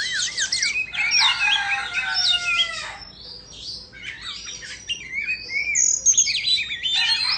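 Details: Indonesian white-rumped shama, tail fanned in a dance, singing wavy whistles and stacked clear tones, then a pause, followed by scattered sharp high notes and rapid chirps.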